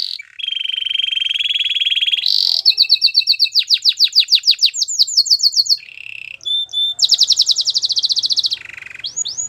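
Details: Belgian singing canary delivering a varied song: a long buzzy trill, a higher rattling tour, a rapid series of sharp downward-swept whistles, a brief chopped phrase and another fast trill, all loud and clean with no other sounds.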